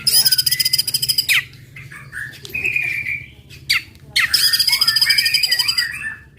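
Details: White-rumped shama song to provoke other birds: loud dense buzzy rattling trills in two long bursts, separated by softer warbled notes, over a low background hum.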